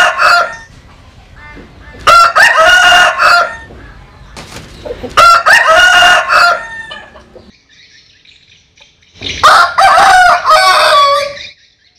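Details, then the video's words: Cock crows from Vietnamese chickens and American Sil chickens: three loud, hoarse crows, each lasting over a second and separated by quieter gaps with faint background sounds, a fourth crow following after a short silence. "Tổng Hợp Tiếng Gà Gáy/ Synthesize Cock Crows"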